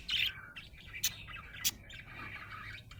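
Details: A happy budgerigar gives a loud warbled chirp, then two crisp clicks about half a second apart over a softer ongoing chatter.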